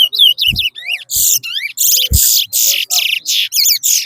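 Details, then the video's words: Competition song of a chestnut-bellied seed finch (twa-twa) at a Rosehall race in Guyana, two birds matched. Loud, high twisting whistles alternate with harsh buzzy rasping phrases in a steady rapid sequence, with a few faint knocks. "TOWA TOWA RACE"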